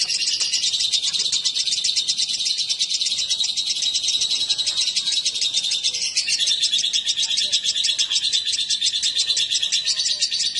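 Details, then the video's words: A pair of lovebirds, male and female brought together, keeps up a long stream of shrill, buzzy chatter; the tone shifts slightly lower about halfway through. "Kicau burung//Jika raja dan ratu di pertemukan"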